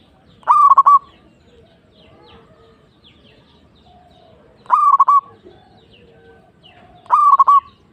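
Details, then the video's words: Zebra dove of a local strain gives three brief rolling coo phrases, each a quick cluster of bubbling notes, separated by pauses of several seconds over a quiet background. "Suara Burung | Perkutut Lokal"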